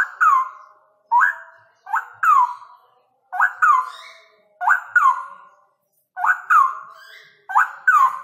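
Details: Male straw-headed bulbul in loud ropel delivery, with paired whistled notes sweeping up then tumbling down in liquid slurs, repeated at a brisk, uneven pace, about seven phrases with short gaps.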